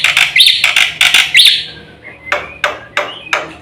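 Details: Black-winged myna song recorded for training other birds: rapid harsh buzzy phrases with bright whistled upslurs, followed by a thin whistle and sparse clicking notes.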